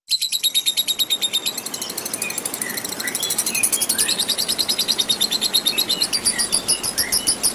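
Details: Lovebird giving a long trill (ngekek panjang), set against nature and water sounds for relaxation: rapid high chattering notes repeated about three times a second, with scattered brief whistled slurs underneath.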